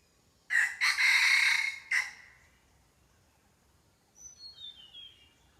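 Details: Wild red junglefowl cock crows loudly: a short first syllable, a longer drawn-out harsh phrase and a brief end note over about one and a half seconds, then a thin falling whistle from a different bird.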